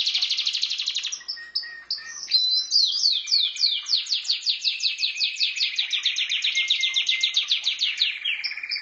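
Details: Pet canary singing indoors: a long varied run of rapid trills and repeated descending sweeps, high and bright, the phrases changing every second or two with no other sounds.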